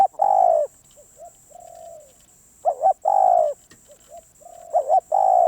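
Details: Loud spotted dove cooing: a stuttering doubled note leads into a full, sustained low hoot. Softer short coos fall between the phrases, over a faint steady hiss.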